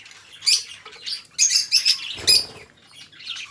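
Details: Domestic budgerigars, two bird friends, give a short burst of sharp chirps and scratchy squeaks. A faint flutter comes midway through.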